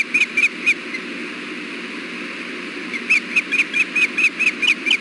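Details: At a wild osprey nest during a fish delivery on a June 2016 afternoon, three quick whistled chirps, a pause, then a longer run of evenly spaced sharp chirps, with steady hiss behind.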